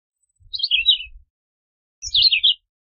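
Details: Philadelphia vireo singing two high, slurred, warbled phrases about a second apart, each a short run of downward-sliding whistled notes, with faint low thumps beneath.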